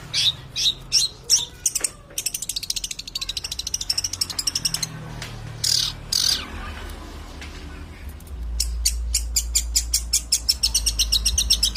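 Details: Long-tailed shrike song: sharp, high repeated chattering notes coming in bursts, with a low hum in the background.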